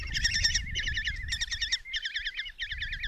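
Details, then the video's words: Five common kestrel nestlings begging in a Hungarian nest box at Tiszalök as their mother delivers a mouse, June 27, 2024; bursts of rapid, wavy trilling calls in quick succession, separated by short gaps, over low thumping. "Common Kestrels | Mom brings mouse in breakfast for five babies"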